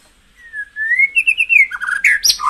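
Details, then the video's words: A white-rumped shama sings, played to rouse caged birds into full form: a long smooth whistle rising gently, then quick pulsed notes and a jumble of richer warbling. "tiếng chích chòe lửa hót dùng kích chim căng lửa hiệu quả"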